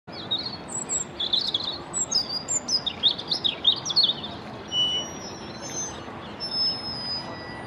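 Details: European robin singing from a corkscrew hazel bush near the Albert Memorial: a run of high, thin, warbling phrases of quick rising and falling notes, over a steady low hum of background noise.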